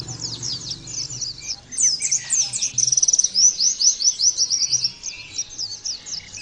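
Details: Fast, high-pitched Oriental white-eye song used as therapy to get the bird singing: tumbling chirps, a short buzzy trill, then repeated quick slurred notes over a low background hum.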